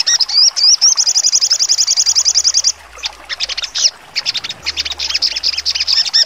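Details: A sogon sings sharp trotol: looping high whistles open a quick, steady trill of repeated piercing notes, followed by a pause and bursts of abrupt, varied chirps.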